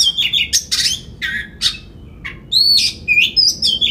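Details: Oriental magpie-robin singing loudly to lure rival magpie-robins into song: rapid harsh rasping bursts and chattering notes, then clear upslurred and downslurred whistles, with faint low hum beneath.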